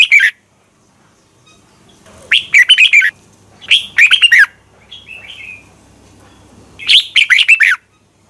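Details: Red-whiskered bulbul competition singing, used as a lure to train and stimulate other bulbuls to sing: short bursts of bright, quick warbled notes, separated by pauses of one to three seconds, with a faint low hum beneath.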